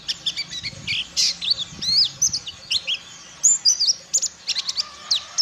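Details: Ciremai-type white-eye learning the ngalas wild-bird style: dense, varied, high chirps, sweeping whistles and quick twittering phrases that pour out almost without pause, with some faint low rumble beneath.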